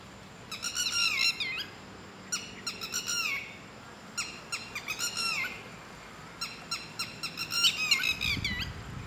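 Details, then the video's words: Red-wattled lapwing from a pair staying in a garden, noisy and quick to attack anyone approaching too near: shrill, ringing notes in fast series of four to six, each burst ending in a descending drawn note, repeated about four times, with a low thump near the end. "Red wattled Lapwing Call"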